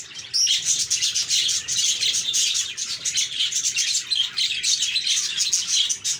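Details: Many budgies chirp together: a steady wall of high, rapid, slightly buzzy twittering with short whistled notes scattered through, no gaps.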